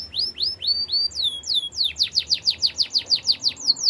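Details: Canary singing a series of sweeping downward whistled notes that speed up into a fast, regular chirping run of about three notes per second.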